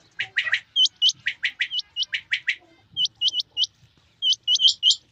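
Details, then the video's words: Male and female quail in rain: a run of buzzy chirps first, then sharp, high hooked notes in pairs and triplets repeated about every half second. "Rain Male Female Quail Beautiful Sounds"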